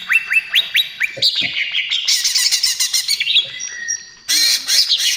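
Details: Greater green leafbird in lively trotol song, a lure and therapy for birds: four quick rising whistles, then busy twittering over a sustained high whistle, ending in a loud harsh rattle.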